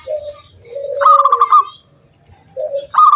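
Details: Zebra dove from the wild, singing to lure other doves into song: a low coo, a longer falling coo, then a loud high ringing trill, and after a brief silence the pattern starts again.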